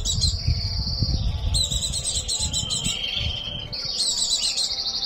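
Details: White-eye in breeding condition giving an almost continuous run of high, sweet, twittering trills that rise and fall slightly, over a rumbling low background.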